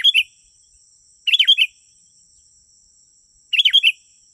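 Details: Sooty-headed bulbul song to attract wild bulbuls: rapid, bubbly strings of warbled chirps in bursts roughly every two seconds, accompanied by a steady faint high-pitched whine.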